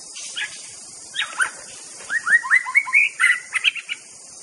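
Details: White-rumped shama master song meant to provoke rivals: a rapid series of short, bright whistled and chattering notes, some upslurred, clustered in bursts, over a steady high hiss.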